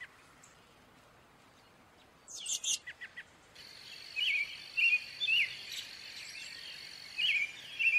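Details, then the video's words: Wild American robin song: short caroling whistled phrases, each rising and falling, given about once a second over a steady high buzz of insects, with a brief burst of sharp chips earlier. "American robin bird call / song / sounds"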